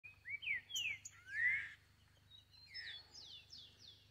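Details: Green-winged saltator singing free in the forest: loud, rich whistled phrases sliding up and down around the middle register, followed by thinner, higher descending notes; faint steady low hum underneath.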